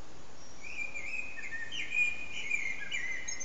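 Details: Blackbird singing from an antenna during a marathon of almost three hours; a continuous warbling, fluted phrase wavers at mid pitch with small rising and falling notes, faint against constant low rumble.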